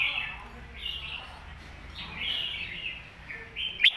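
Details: Red-whiskered bulbul master song for young birds to learn, softer warbled whistle phrases over a low background hum, ending in a sharp click.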